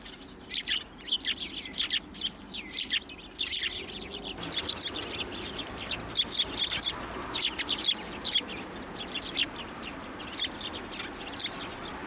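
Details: Sparrows coming to a hand for food at a Tenmangu shrine, New Year's Day 2024; steady chattering of many short, bright chirps throughout, overlapping calls from a small flock.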